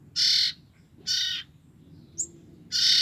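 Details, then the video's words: Common iora fledgling siblings, two weeks old and used for luring the adult birds, produce three broad, scratchy rasps with a tiny high chirp in the gap before the last. "BURUNG CIPOH KAKA BERADIK INI EMNG LUAR BIASA BRU 2 MNGG DAH BERBUNYI SNGT BAIK UNTUK PIKAT INDUKNY"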